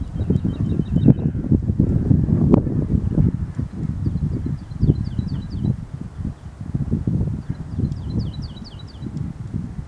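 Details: Woodlarks newly returned to vineyards in Luxembourg; one sings three short phrases of quick, high, liquid repeated notes, each run a second or two, over steady low wind or traffic rumble. Woodlark.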